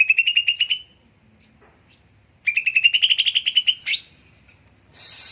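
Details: Greater green leafbird lure recording meant to attract wild birds: two rapid rising trills, a sharp upslurred chip, then a burst of hissing noise at the end.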